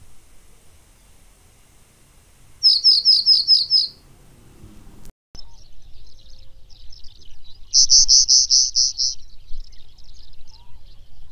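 Pallas's bunting gives two quick series of six or seven high, dry, buzzy notes, evenly repeated, with a pause between; faint background noise.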